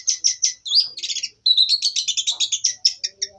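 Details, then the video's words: Canary singing a rapid, varied phrase: three sharp high chirps, a brief upward slur, then fast buzzy trills and a long run of quick repeated notes, all bright and high-pitched, with no other sounds. "CENDRT MATERI BURUNG KENARI"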